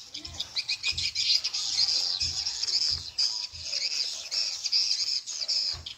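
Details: Played to attract edible-nest swiftlets, a Tripel Queen lure sound: a continuous mass of shrill chattering chirps, with dull low knocks falling roughly every 0.65 seconds.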